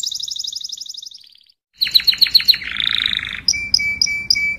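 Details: Canary singing to gather the flock: a high rolling trill fades out, and after a short silence come sharp chip notes, a low buzzy roll, then spaced bright pips over a steady held tone.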